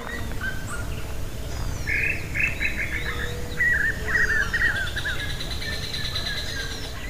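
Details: Small-billed tinamou (inhambu-chororó) singing its long call near a trail through caatinga in Brazil: a run of short, clear piping notes in quick succession over a few seconds, with faint chirps of other birds and steady background noise.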